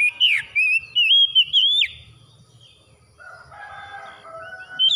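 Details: Oriental magpie-robin song played as after-dawn therapy for stressed kept birds: two seconds of loud, clear whistled phrases with sliding, rising and falling notes, then a quiet gap with faint, lower drawn-out tones, ending on another bright whistle.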